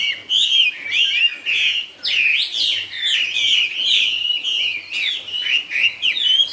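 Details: Chinese hwamei singing in the style called "cao cầu": a loud, continuous run of clear whistled phrases, slurred rising and falling notes flowing one into the next with brief dips, in a quiet setting.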